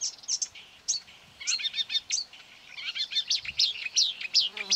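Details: Near a quarry on 9 May 2020, a marsh warbler drawn in by a recording of its species furiously attacks the phone and sings over it. Quick bursts of twittering, scratchy and whistled phrases come with short pauses between them.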